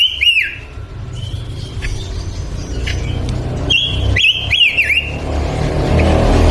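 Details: Energetically singing male pancawarna bird gives bright whistled phrases of rising and falling slurred notes, with softer notes between, over background rumble.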